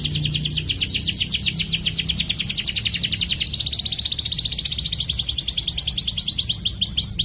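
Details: Canary master song meant to prompt young canaries to answer and sing: an unbroken rapid high trill of repeated sweeping notes, dipping in pitch partway through then climbing again, over a soft low background hum.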